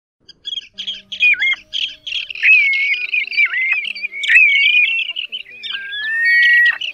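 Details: Assorted plover species mixed together as a lure for night net trapping, August 2024: dense overlapping whistles and chattering notes, with a steady whistle dipping sharply downward at intervals and a long level whistle near the end.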